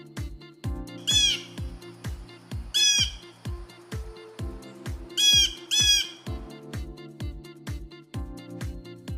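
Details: A Blue Jay (Cyanocitta cristata) calls with harsh, raspy squawks in three bursts, one of them doubled, a second or two apart, over steady rhythmic background music.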